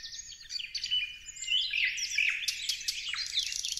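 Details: Short burst of parrot chatter, with grating squawks, a few bright whistled notes and sharp clicks tumbling over one another in a continuous noisy cluster.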